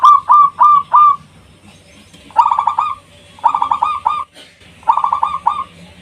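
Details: Local zebra dove singing loudly and persistently, used as a lure to call and provoke rivals; bursts of rapid, rolling cooing notes, first four separate coos, then three trilled phrases of quick stuttering coos separated by short pauses.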